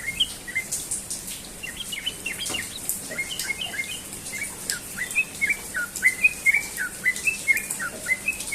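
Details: Sooty-headed bulbul morning ropel song: lively chains of short, bright whistles, some rising and some falling, growing denser in the second half, with a faint hiss and hum in the background.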